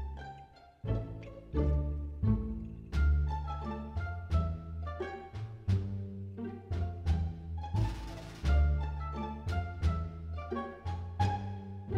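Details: Orchestral music with plucked and bowed strings over deep timpani beats fills the whole stretch. No animal call can be picked out beneath the instruments.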